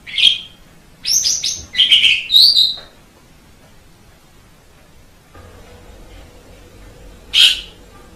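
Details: Black-winged starling, white form, singing: a few loud harsh chirps and short buzzy phrases in the first three seconds, then a quiet pause with a faint steady hum and one last sharp note.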